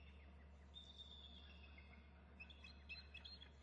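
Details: Adult eagle at its nest, having backed off the eggs, flapping and calling as the male also calls and a third eagle is heard. Thin high whistled notes drawn out, then a run of quick chips, over constant low hum.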